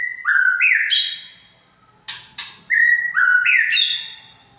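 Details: Lure song of a white-rumped shama meant to provoke: clear whistles stepping upward in short runs, interrupted by two sharp harsh clicks, then the rising whistled phrase repeats.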